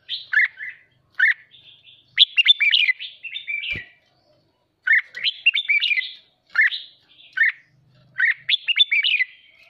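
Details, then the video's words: Red-whiskered bulbul kept as a songbird, singing 'hót ché' style to excite other birds: choppy bursts of rapid, sweet chirps and slurred whistles in groups, with a single faint knock in the background. "Chào mào hót kích bổi ức chế căng lửa hót ché"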